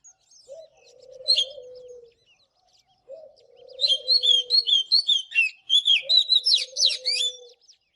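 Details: Oriental magpie-robin singing in the morning: a quick series of bright, varied whistled notes about two per second, while a low, drawn-out cooing note from another bird repeats three times beneath it.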